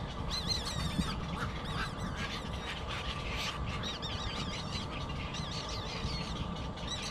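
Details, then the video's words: Baby bird crying for food: irregular series of high, warbling squeals, some short and broken, others drawn out and wavering, over a steady low rumbling background. "Poor baby bird cries baby food until it falls asleep"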